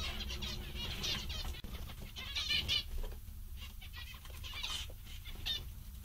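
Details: Cheerful, contented zebra finches, more than one bird, give clusters of nasal trumpet-like beeps, denser at the start and thinning toward the end, with a low background hum throughout.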